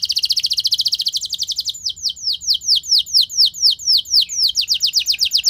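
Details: Loud canary song used as a lure to make other canaries sing: a quick high trill gives way to a steady chain of downward-slurred whistles repeated about four times a second.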